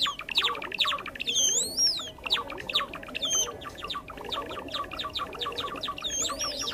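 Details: Java sparrow calls played as a lure for trapping, a bird found in rice fields and farmland: busy fast chipping and clicking with occasional swooping high whistles.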